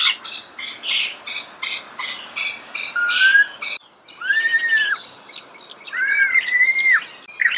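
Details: Starling singing close by outdoors: harsh chattering notes at first, then clear arched whistles that rise and fall, given in pairs with pauses.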